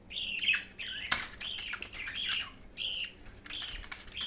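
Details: Budgerigar chick fed by another chick: harsh, nasal begging squawks with bent harmonic tones, about one and a half per second at an uneven rhythm, plus a soft click.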